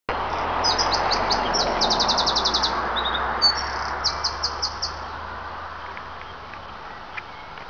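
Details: Wild bird whistling in Monet's garden at Giverny, France: quick series of high, thin whistled notes and a fast rattling trill, then several spaced chirps, over a steady hiss of background noise.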